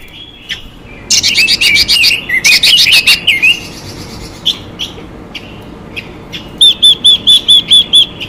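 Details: Female Chinese hwamei giving calls meant to rouse males to sing: warbling whistled phrases early, then a quick run of seven bright, evenly spaced high notes near the end, with faint scattered chirps between.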